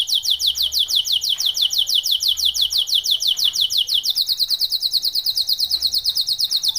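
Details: Canary of the F1YS type in full song, a rapid run of high, downward-slurred whistled notes repeated about three times per second, shifting after four seconds into a tighter, faster high trill.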